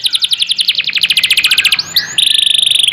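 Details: Canary named 'Asuhan Rembulan', in full lively long-duration song used as a tutor recording for training other birds: rapid repeated high trills, then a sliding note and a fast buzzy rattle, all bright and high-pitched.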